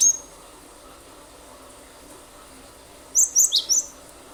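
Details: Cinereous tit (glatik batu), a lively singer used as a lure to get other birds singing: one sharp high note at the start, then after a long pause a quick burst of four very high, clipped chirps.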